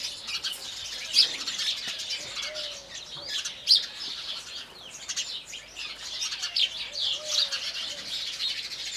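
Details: House sparrows in India on a morning, with continuous soft twittering punctuated by a few louder sharp chirps that stand out every few seconds.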